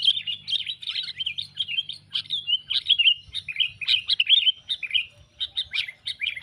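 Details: Sooty-headed bulbul calls used as a lure for bird trapping, given as rapid, squeaky chirps and warbled chatter in quick bursts, separated by short gaps.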